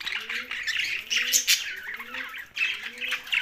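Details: Young budgerigar chatter, buzzy high chirps in rapid bursts, with a clear low cooing phrase repeating roughly every half second underneath.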